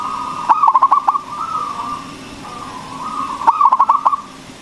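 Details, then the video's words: Loud local zebra dove used to stimulate other doves to sing: two quick stuttering runs of about six coos each, three seconds apart, with faint sustained cooing in between. "PERKUTUT LOKAL GACOR SUARA BESAR ISTIMEWA PANCINGAN BURUNG PERKUTUT AGAR BUNYI"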